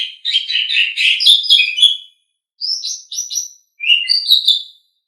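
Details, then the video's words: Asian pied starling song, offered as a tutor recording for training pet songbirds: a two-second burst of rich, chattering, mixed whistles, then two shorter scratchy whistled phrases after brief pauses, with no other sounds. "Suara Burung Jalak Suren"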